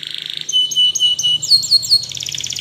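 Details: Spanish Timbrado canary singing as training for other canaries: brief rattle, pure whistled notes with quick upward breaks, then a bright fast pulsing trill.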